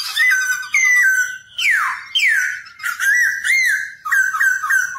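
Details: Black-throated laughingthrush singing while dancing, used to train young birds to sing quickly: clear sustained whistles stepping up and down, two steep downward-swooping notes, then wavering flute-like phrases.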